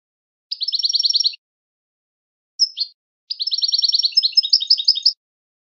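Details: Goldfinch singing in clean, separate bursts: a quick rattling trill of repeated notes, a pause, one sharp downslurred note, then a longer rapid trill that shifts into mixed twittering notes.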